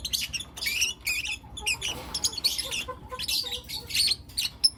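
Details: Morning chirping from four young lutino lovebirds, sharp high squeaky notes in quick irregular bursts, several birds overlapping, over faint low background noise.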